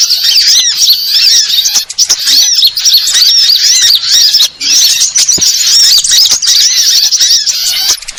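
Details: A busy stream of shrill sunbird chirps and squeaky twitters. Many quick, high, looping notes overlap densely, broken by brief pauses near two and four and a half seconds.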